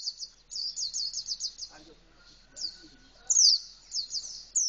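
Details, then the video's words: Indonesian white-eye delivering canary-style song with beak fully open: quick high trilled series of slurred notes, a gap with faint low background noise, then a louder sharp sliding phrase and more rapid trills. "Pleci rasa kenari full buka paruh"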